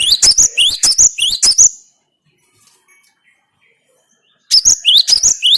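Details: Cinereous tit singing loud, ringing whistles that rise in pitch. Each note is repeated rapidly in a run of about seven, then a pause, and the same rising phrase starts again.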